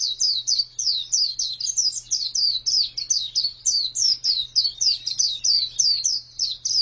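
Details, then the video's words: Female white-eye (pleci) singing: a long, fast run of high, thin downslurred chirps, about three to four each second, with barely a pause between them. A faint steady low hum runs underneath. "Pleci betina sangat bagus suaranya"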